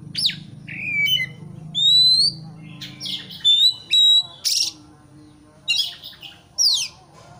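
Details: Rival-provoking song of an Oriental magpie-robin: separate loud notes, among them high drawn-out rising whistles, sharp downslurs and coarse rasping bursts, spaced by brief pauses, over a low hum.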